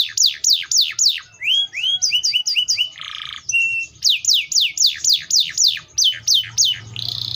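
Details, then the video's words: Canary in full song: descending whistled sweeps repeated quickly, then a run of short rising chips, a harsh buzzy burst, a flat whistle, and another long series of falling sweeps ending in a buzzy trill. "THE VOICE OF THE CANARIA SERINUS"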